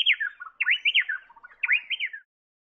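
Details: Varied Honeyeater in blossoming trees along the Esplanade in central Cairns, Queensland: loud, lively whistled phrases of swooping and rising notes, run together in three quick bursts.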